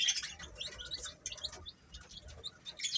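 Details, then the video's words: Chicks feeding, a dense chorus of thin high peeps that tumble over one another, with soft low rumbling and scratchy clicks underneath. "Cute Chicks Chirping Sounds"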